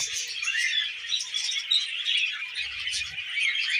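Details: Several tame budgerigars at millet, keeping up a steady stream of high twittering and squeaky chirps, with faint low rustling toward the end.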